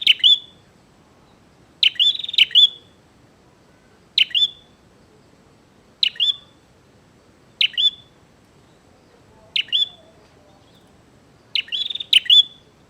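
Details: Bar-winged prinia singing to challenge a rival: about seven bursts of sharp high chips with buzzy tails, spaced roughly two seconds apart against a quiet background.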